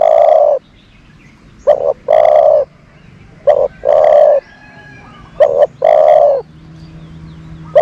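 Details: Dove serving as a decoy to lure other doves calls in repeated phrases, a brisk double note then a sustained mellow coo, about every two seconds, five phrases over faint background hiss.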